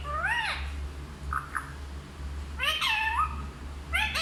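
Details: Parrot speaking Hindi words: an arched harmonic syllable, two faint short notes, then a longer falling phrase and a final rising note. A constant low hum sits beneath.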